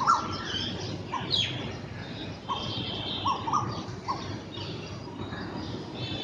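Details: A pair of black drongos in Bangladesh call together in early morning, possibly establishing territory: short, clipped mid-pitched notes about one a second, mixed with higher squeaky chirps, over a steady background hiss.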